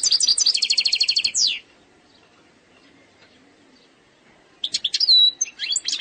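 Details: Algerian European goldfinch singing in the eastern-sector style, its song described as free of faults: a fast, buzzy, even trill of high notes, a pause of about three seconds, then varied twittering notes with one clear drawn-out whistle.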